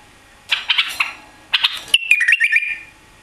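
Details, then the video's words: A captive white-eared bulbul, newly brought to Europe and missing its tail, sings rough buzzy notes followed by a ringing whistled run that drops and rises in short steps. "White-Eared Bulbul Song"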